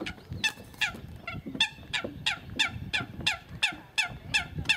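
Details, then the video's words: Eurasian coot giving a fast series of short, nasal, honking calls with rich harmonics, about three each second and slightly uneven in spacing, over low background rumble. "Eurasian coot Makes funny noise"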